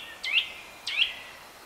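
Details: Eurasian nuthatch calling: two loud, clear, sharply rising whistled notes about two-thirds of a second apart, each with a brief trailing tone, against a quiet background.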